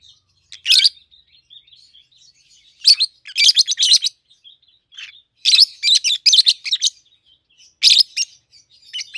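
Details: Home-raised peach-faced lovebirds, a red-headed green opaline and red-faced dark green pair aged 7-8 months; one downslurred squeak followed by grouped strings of harsh, high chirps separated by soft twittering.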